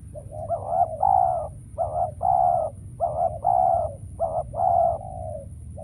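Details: Spotted dove used as a trapping decoy, calling while wild doves stay away: repeated mellow coo phrases, each a short rising note then a longer rolling coo, roughly every one to one and a half seconds, over low background hum.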